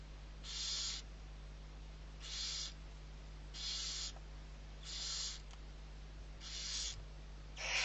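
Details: Owlets of the barn owl, six in total, fed at Riet Vell in the Ebro Delta, Spain, 21 November 2023; a regular series of six breathy, noisy screech-hisses, about one per second, over low electrical hum.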